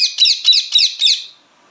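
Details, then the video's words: Indian ringneck parakeet giving a string of five loud, harsh chirps, each a rasping screech roughly a quarter second apart, trailing off into quiet at the end. "पहाड़ी तोता बोलने बाला🦜 ringneck parrot/natural talk sound"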